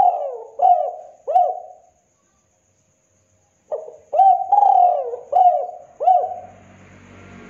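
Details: Spotted dove champion master song in the KUK 2 style from Indonesia, used for training and luring: a short phrase of three mellow, rising-then-falling coos, a silent pause, then five more coos, with faint background noise at the end.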